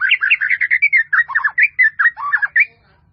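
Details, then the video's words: Varied melodious song of a white-rumped shama in a full-fill training recording: a fast chain of rich whistled and warbled notes, some dropping in pitch, about four per second, ending in silence. "MASTERAN MURAI BATU FULL ISIAN || SUARA MURAI BATU MERDU"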